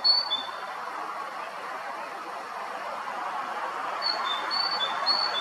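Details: A tit singing on a branch in a forest at the far end of Akhunskaya Street, Zarechny, on 12 April 2021, gives high, clear two-note whistles, a higher note dropping to a lower one, in short bursts over a steady background hum.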